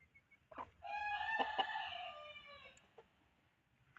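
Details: Chicken crowing after a short preceding cluck: one long, harmonic crow of about two seconds that fades gradually, with faint clicks and soft background noise around it.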